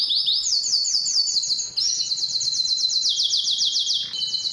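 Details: Male-style canary song sung to attract females for mating, delivered as bright high trills of rapid repeated notes that step down in pitch between phrases, with a short break midway.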